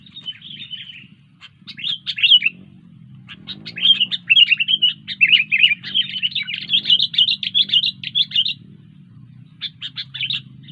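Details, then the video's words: Sooty-headed bulbul in lively song: bubbling, chattering phrases of quick high notes in bursts lasting a few seconds, with short pauses between, over a faint low hum. "Burung kutilang Gacor"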